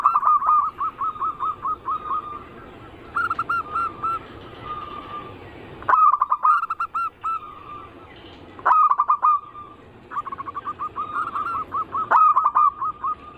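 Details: Several zebra doves of local, Bangkok and crossbred types sing for a lure, their anggungan song. Rhythmic phrases of quick clipped coos close with a longer held note and repeat every few seconds, with birds answering one another.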